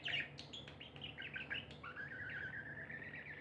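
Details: Happy pet budgerigars chirp softly: quick scratchy notes at first, then a drawn-out, gently wavering warble that slides slowly downward, fairly quiet against a steady low hum.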